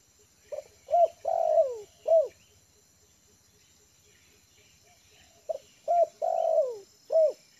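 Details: Trained spotted dove calling from the ground as a lure bird. Two phrases, each with a short note, a hooting pair, a long descending coo and a crisp final hoot, separated by faint regular ticking.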